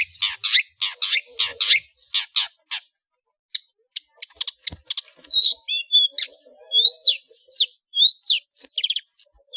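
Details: Long-tailed shrike singing in the ngeplong full isian style, a master recording for training cage birds: a run of loud buzzy notes, a brief pause, then quick varied chirps and short upslurred whistles.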